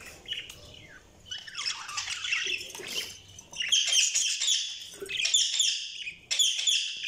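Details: Several budgerigars chatter in a jumble of scratchy, warbled chirps and squawks, growing louder and busier halfway through, with faint low background rumble.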